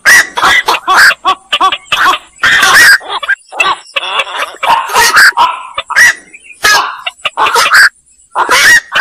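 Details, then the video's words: Black-crowned night heron giving irregular harsh squawks, some in clusters and some spaced out, with rough nasal notes and brief quiet spells. "suara burung koak"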